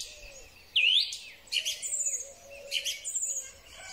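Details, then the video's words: Springtime song thrush, recorded on a Huawei P30 Pro: one loud upward-swooping whistle, followed by scratchy high chattering and thin squeaky notes, with a soft low wavering tone behind. "Drozd Śpiewak. Wiosenny koncert ptaków."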